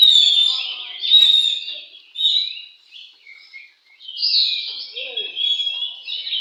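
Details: White-rumped shama (kacer) at a bird singing contest: varied whistled and warbled phrases, some slurred and rising, in bursts with short pauses, with faint low murmurs in the background.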